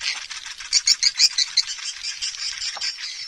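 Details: Swiftlet calling sound, produced in stereo to attract swiftlets; a rapid run of high, rattling chirps and twitters, louder pulses in the middle, fading to softer chatter.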